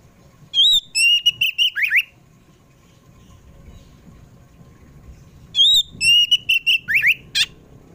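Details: Oriental magpie-robin, kacer poci variety, singing in the afternoon as a lure for kept birds: two matching phrases of sharp whistles ending in falling slurs and a rough note, with a low background rumble between.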